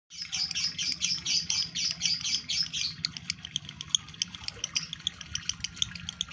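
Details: Male lovebird in breeding condition, caged, singing: dense high chattering twitters at first, then a run of rapid sharp clicking chips about four per second.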